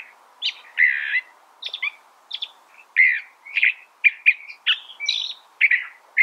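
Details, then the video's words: Varied song of a California thrasher: a rapid, continuous run of differing phrases, some buzzy, some whistled and slurred, with short jumps to higher notes and almost no pause between phrases. "California Thrasher Bird Sound"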